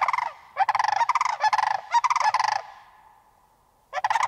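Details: Sandhill crane calling in loud rolling, trumpeting rattles, several bursts in quick succession over two seconds, each a fast pulsed trill, then a quiet pause with a faint fading tone before another burst begins.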